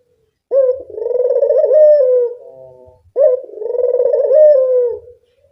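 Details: Local puter dove calling as a lure: two deep, throbbing coos in a row, each a clipped opening note followed by a long trembling roll that tails off quietly.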